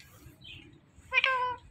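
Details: Talking Indian ringneck parakeet gives one brief, nasal, harmonic-rich utterance after a soft high murmur; a quiet indoor hum stays underneath.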